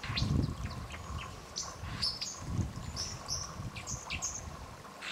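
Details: Fighting White-throated dippers at the Thin river, Warby, France, utter short shrill chirps in loose series, several sharp and rising, over flowing water with a few low splashes.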